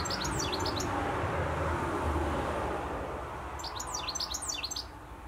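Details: European goldfinch singing in Essex: bursts of rapid, tinkling high twitters and trills at the start and end, with a gap between, over a steady low rumble of traffic noise.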